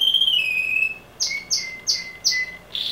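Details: A loud male canary singing indoors: a pure whistled note sliding downward, then four quick buzzy trilled bursts about every third of a second, ending on a rising harsh note.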